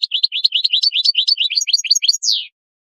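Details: Goldfinch song presented as a teaching recording for young birds, a fast continuous twittering of high, clipped notes lasting about two and a half seconds and ending in a longer descending slurred note, clean with no background.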